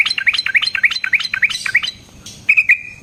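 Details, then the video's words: Yellow-vented bulbul singing, used to coax other birds into song: a quick series of upswept chattering notes, a brief hiss, then two clear whistled notes held steadily at the end. "Burung TRUCUKAN GACOR Ropel Panjang Cocok untuk PANCINGAN Trucuk bahan dan MASTERAN Burung Trucukan"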